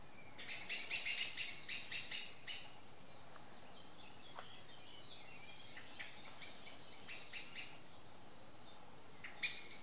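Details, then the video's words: Angry Common Blackbird scolding two juvenile Tawny owls, which stay unconcerned. Loud bursts of sharp, harsh chacking notes come in quick runs at the start, then quieter runs of similar clicks return after a pause. "Juvenile Tawny owls not the least bit concerned about an angry Blackbird."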